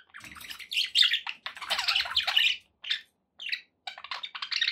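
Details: Budgerigar pets chattering, a loud tumble of scratchy warbles followed by short isolated chirps and a closing run of quick twitters.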